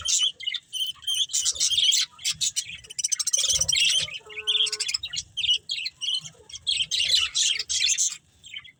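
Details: Budgerigars from a breeding pair give bursts of bright, buzzy chatter and quick tweets, broken by brief gaps, with a clear whistled note held for a moment near the middle.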